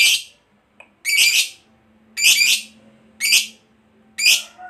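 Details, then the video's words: Fighter lovebird calling as a lure for long chattering: five harsh, broad squawks at uneven intervals of about one second, with a faint continuous low hum behind. "Jadikan Lovebirdmu FIGHTER Rajin Ngekek Panjang"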